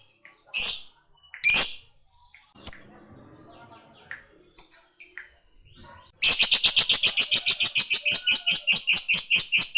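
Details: Lovebird in peak singing condition calling a rival: several sharp, isolated shrill chirps with quiet gaps, then a sudden long ngekek, a rapid high chattering trill running steadily to the end.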